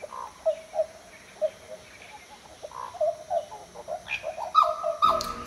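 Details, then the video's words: Black butcherbird, a tropical northern Australian species, giving a series of rich, mellow fluted notes, some sliding up and down, roughly twice a second, with a clattering noise near the end. "Here, for your enjoyment, is the call of the black butcherbird."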